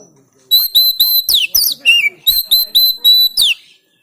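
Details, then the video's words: Oriental magpie-robin (kacer) from Banten, Indonesia, recorded on an Android phone for training other birds to sing: a run of about ten clear, high whistled notes repeated evenly, with a few buzzy slurred notes mid-phrase. "Memancing Kacer Macet Bunyi Gacor Bongkar Isian"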